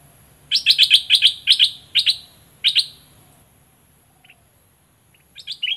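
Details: Olive-winged bulbul kept as a lure bird in southern Thailand: seven or eight loud, harsh, clipped notes in a row, a pause, then faint chips and a short rising phrase at the close.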